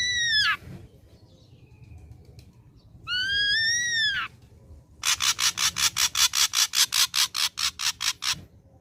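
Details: Young ashy drongo caught from the forest sings two loud arched whistles, then a long run of about eighteen harsh, buzzy notes delivered rapidly and evenly.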